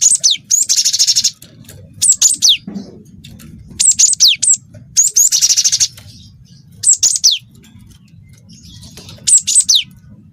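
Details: Cinereous tit (glatik watu) song loaded with canary material: dense buzzy high trills alternating with clusters of shrill descending whistles, about five bursts over ten seconds over a faint low background hum.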